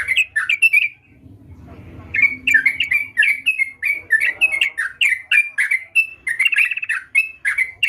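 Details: An actively singing sooty-headed bulbul delivers clipped, liquid notes, then pauses while a faint low rustle is heard, before resuming with a steady, lively sequence of short rising and falling chirps.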